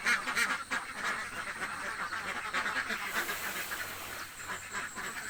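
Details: Very hungry ducks in a village make a busy, blurred mix of quacks, louder at first and then softer and more muddled toward the end.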